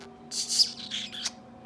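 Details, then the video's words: Pet male budgerigar imitating sniffing from a nasal spray and a pretend cough: brief, hissy, breathy bursts with high, noisy chirpy edges over a faint, steady background hum. "Budgie Mimicks a Cough sound and Sniffs his Nasal Spray"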